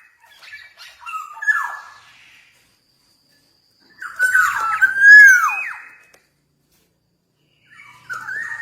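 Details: Javan black-naped oriole in full song, giving a soft warbled phrase, then after a pause a loud rich whistle swooping down sharply, and a short rising whistle start at the end, in a quiet room.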